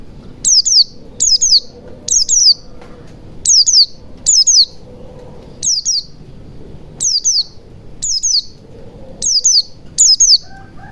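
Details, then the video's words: White-eye song used as a lure to get silent white-eyes singing quickly, in forest style: short, very high, sharply falling chirps in quick pairs and triplets, in about ten bursts with brief pauses between them. "pancingan pleci macet bunyi agar cepat gacor ,ngalas ,buka paruh"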